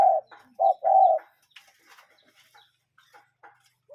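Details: Cuckoo bird heard in nature, real bird calling: two low, hollow hooted notes, a short one then a longer one, followed by quiet faint chirps in the background.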